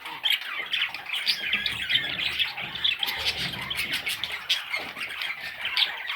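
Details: Baby parrots produce a busy mix of thin, high squeaky chirps and grating squawks, overlapping without pause across the whole stretch.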